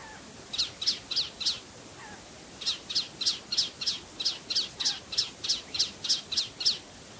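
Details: Male Palestine sunbird, a very common breeding resident, at Tanomah in Saudi Arabia's Asir Region. Sharp, high, chipping notes come about four per second: a burst of four, a short pause, then a steady run of roughly fourteen.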